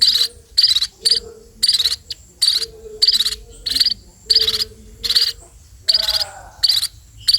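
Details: Sparrows calling as they are fed: loud scratchy begging notes pulsing about every 0.6 seconds, with a faint low hum beneath.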